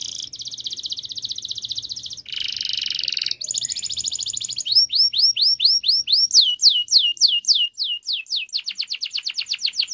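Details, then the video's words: Canary in full song, meant to stimulate silent canaries to sing: dense rapid high trills, a rougher rolled section, then a long run of loud repeated falling whistled notes, roughly four per second. "kenari gacor cuit cuit ngeroll panjang‼️pancingan kenari bisu agar bunyi"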